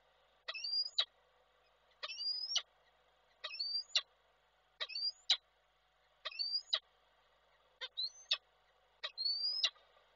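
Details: Male peregrine falcon calling to the female, Koszalin, Poland, webcam recording from 12 December 2023. Seven regular two-note calls, a high rising squeal snapped off by a sharp chip, repeated about every one and a half seconds over a low background hum.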